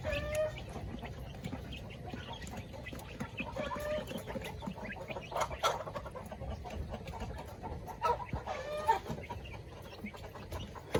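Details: Coop-kept village chickens at feeding time clucking busily, with dense short notes and a few longer, drawn-out calls standing out near the middle and toward the end against a low background rumble.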